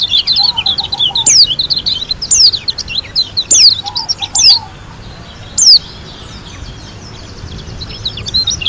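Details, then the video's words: Wild-style singing of a Lombok white-eye: busy high chirping punctuated by loud, down-slurred whistles about once a second. A soft, low trill rolls twice underneath. "KUMPULAN SUARA PLECI GACOR ASLI DARI LOMBOK‼️ SUPER NGALAS TEMBAKAN MEWAH"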